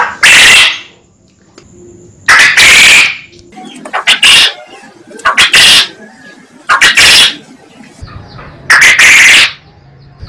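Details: Quail call made for training other birds, recorded very loud and close: six harsh, broad bursts, each about half a second long, spaced irregularly about one to two seconds apart, with quiet gaps between.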